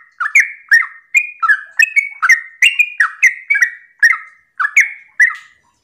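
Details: Sooty-headed bulbul singing a lively morning song, used as a lure to get other bulbuls to answer: quick, bubbly whistled phrases, each opening with a sharp click and dropping in pitch, repeated about twice a second with brief pauses.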